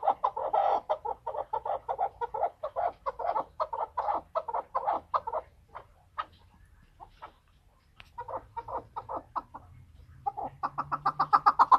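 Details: Excited male chukar partridge in Tajikistan, 2020, giving a long run of rapid clucking chuck notes, about two to three a second. A pause around seven seconds is followed by a fresh, quickening burst.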